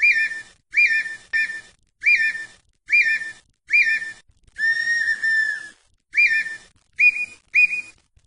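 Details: Red-winged tinamou, known in Brazil as perdiz or perdigão, repeating short upslurred whistles about once a second, with one long steady whistle in the middle and two quicker notes at the end.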